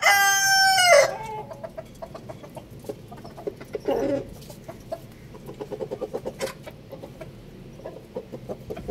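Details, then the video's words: Rooster, one of two birds, finishing a strong harmonic crow that ends abruptly with a falling note, then a stretch of quiet clucking and brief murmurs from other hens. "Two roosters crowing sound effect"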